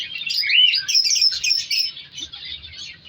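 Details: Colour-mutation African lovebirds in a breeding colony aviary in winter: dense shrill chattering and rapid squeaky chirps from several birds overlapping, with a faint low rumble underneath.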